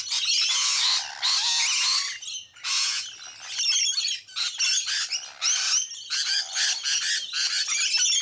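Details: Feeding rainbow lorikeets in Sydney, eating sunflower seeds, make loud rasping screeches and quick chattering squawks, irregular bursts from several birds overlapping with short lulls between.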